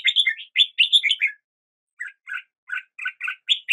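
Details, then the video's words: A red-whiskered bulbul sings a quick, bright, whistled phrase, falls silent briefly, then resumes with spaced soft chirps that build into louder notes; nothing else is heard. "Red whiskered Bulbul Song"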